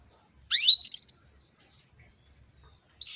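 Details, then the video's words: A female canary calls to draw males and spur them to sing: a steep rising chirp runs into a quick series of high clipped notes, with another loud chirp starting just as it ends. "PANCINGAN KENARI BETINA MEMANGGIL JANTAN"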